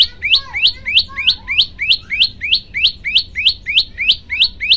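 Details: Olive-backed tailorbird song variation meant as a master for training birds: a fast, very regular series of upswept, ringing notes, about three per second, with a few softer lower notes underneath near the start.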